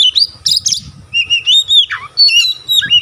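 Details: Singing white-rumped shama with its tail spread, whose song is claimed to set other shamas singing: loud, clear whistles, some held and some swooping downward, mixed with sharp high notes, over a faint low hum.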